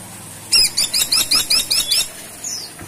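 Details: A caladi tikotok, or freckle-breasted woodpecker, in full voice: eight rapid, harsh, high-pitched squeaky notes in an even rhythm, then one faint downslurred note.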